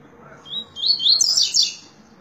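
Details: Double-collared seedeater singing: a short phrase of high, thin whistled notes that run into a fast, busy twitter, with a brief pause partway through.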